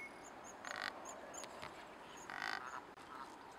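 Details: A Cape Barren goose in Australia, recorded 12 January 2019, gives two harsh, hoarse honking bursts about two seconds apart, over faint, regular high-pitched ticking in the background.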